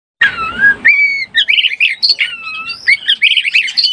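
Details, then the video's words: Oriental magpie-robin in breeding condition, used as a lure to excite other birds: clear whistled notes sliding between low and high pitch, then a rapid varied run of warbled phrases. "SUARA BURUNG KACER BIRAHI_SUARA PIKAT BURUNG KACER"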